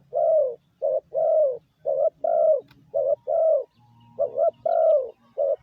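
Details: Lure cooing of a spotted dove used to excite decoy birds: deep, soft coos paired short and long, the longer ones drooping in pitch, repeated about once a second over a faint low hum.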